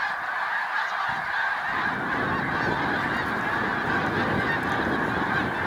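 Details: Massed Snow Geese on Cayuga Lake, New York, stopping over on spring migration, 20 March 2021. A constant chorus of high, yelping honks from a huge flock, with a low rumble near the start.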